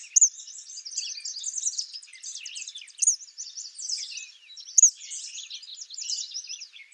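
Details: Eastern kingbird (Tyrannus tyrannus) singing in the wild: high, buzzy, sputtering chatter of short notes, with sharp thin accents near the start, at three seconds and close to five seconds.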